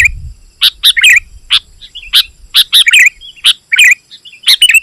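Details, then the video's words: Sooty-headed bulbul in full song, used as a lure for wild bulbuls: spaced sharp chirps, about one every two seconds, alternating with short warbled whistles on a quiet background. "Suara Burung KUTILANG GACOR Rapat Menekan Lawan Ampuh Untuk Memikat BURUNG KUTILANG Liar"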